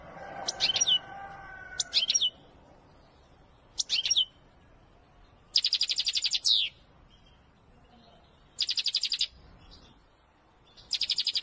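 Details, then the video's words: European goldfinch of the Wedani type singing: short bright bursts of twittering, high notes, some buzzy and ringing, separated by pauses of one to two seconds. A lower tonal hum sounds briefly at the start. "أقوى تغريد الحسون الويداني"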